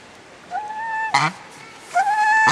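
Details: A captive swan goose pair at a Japanese bird park calls, the male high and the female low: two drawn-out nasal honks, each rising briefly then holding, about 1.5 s apart, with a sharp knock between.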